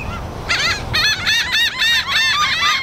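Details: Seagulls and black-headed gulls yelling, taken with a Rode Stereo VideoMic: after a brief quiet start, a dense run of loud, harsh, arched yelping calls overlaps continuously from several birds.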